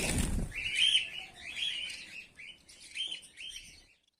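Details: White Bengalese finches in a mixed male and female colony, a loud thump at the start, then a few separate high chirps and buzzy notes about every half second before falling quiet.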